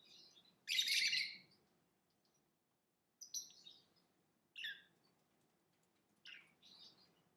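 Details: Lovebird producing one loud harsh buzzy chirp followed by several softer, shorter chirps spaced a second or more apart, with a faint low room hum beneath.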